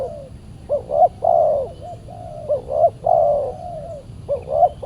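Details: Spotted dove, described as super fierce, calling in response to a decoy during Saturday trapping; soft low coos, pairs of brief rising notes followed by a long level coo, repeated about three times.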